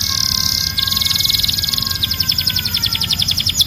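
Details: Canary song dominated by a dense, buzzy high rattle that turns into a faster pulsed trill, over a faint steady low hum.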